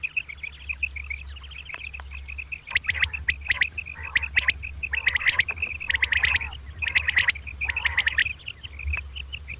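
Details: Common quail calling in the morning, a pair: faint high chirps, then repeated loud harsh rasping bursts every second or so among steady high notes, low hum behind.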